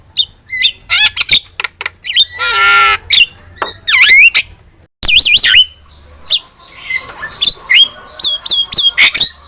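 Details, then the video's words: Vigorous starling song meant to train and lure caged starlings: squeaky whistles, a grating rasp, swooping bent notes and a scatter of sharp chirps and clicks. "OCEHAN JALAK GACOR"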